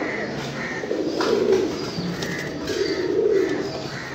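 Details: Domestic fancy pigeon giving two low, rolling coo phrases about two seconds apart, each swelling and fading, with short mid-pitched chirps from other birds in between.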